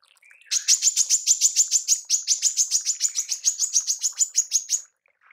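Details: Tembakan from a female manggar: one long, steady volley of about twenty quick, high, buzzy chip notes, evenly spaced and fairly level in pitch, against a quiet background.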